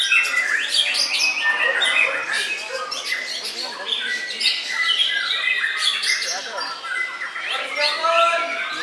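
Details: Contest-singing white-rumped shama (murai batu), runner-up in the main class at Puspa Agro, Jemundo, Sidoarjo, Indonesia, on Sunday 21 January: a continuous busy chorus of sharp whistles, rising notes and scratchy chatter from many caged birds.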